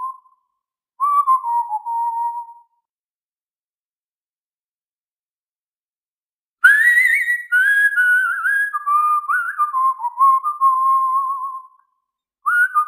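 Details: One of two cockatiels, one scratching the other which enjoys it, gives clear, wavering whistles that slide gently downward, in short bursts separated by quiet pauses.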